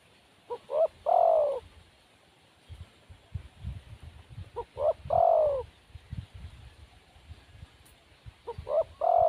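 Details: Wild spotted dove, described as lacking nerve, giving three separate low hooting coo phrases several seconds apart. Each phrase is a short double note followed by a longer, slightly falling coo, with quiet rustling between phrases.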